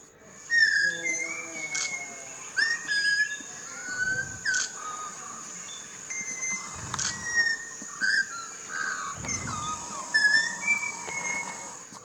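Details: A Blue Whistling Thrush in lush green jungle at Tillari, Konkan, gives clear, human-like whistled phrases that slide up and down every second or two, over a steady high insect drone and faint low rumbles.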